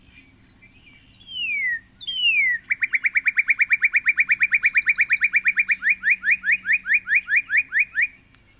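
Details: Northern Cardinal song heard as a quiz recording: two long, falling whistled slurs, then a long fast trill of around thirty rapid repeated chips that gradually slow and spread toward the end.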